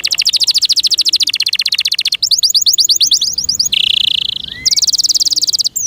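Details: A loud pet canary sings a very rapid high trill for two seconds, then choppier rolled notes, a lower steady buzzing tone, and a return to a bright, fast high trill.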